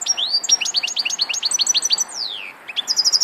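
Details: European goldfinch song: a rapid, liquid twitter of bright chirps and upward-flicking notes, with a long descending slurred whistle near the end before more tinkling notes resume.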